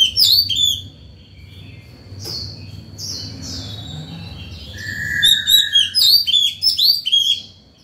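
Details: White-rumped shama in breeding condition sings in the morning, calling other birds and training young: loud sweeping whistles, a long steady lower note, then rapid bright repeated whistles, with low rumbling background noise.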